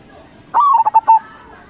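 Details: A local zebra dove singing in crossing style gives one phrase: a rising opening coo, then four clipped staccato notes, the last slightly longer, over a quiet background.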